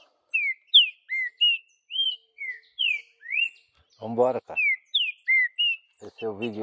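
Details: Green-winged saltator in the bush whistling a steady sequence of clear slurred notes, about ten phrases, with a person speaking near the end.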